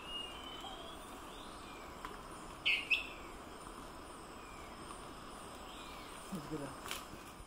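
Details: An elusive dwarf tyrant-manakin, perched, gives its repetitive call: a quick, high two-note call, with a few fainter notes later over steady forest hiss.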